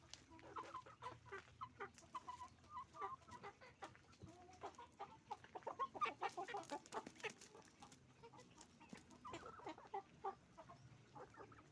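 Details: Roosters and hens on a chicken farm making noise: many overlapping short clucks and squawks, dense and irregular, with a steady low background hum.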